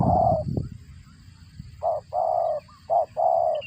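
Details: Spotted dove calling while feeding its young, a voice likened to a cricket: a run of short hoarse coos, some very brief, some held half a second, after a low thump, with a constant high whine behind.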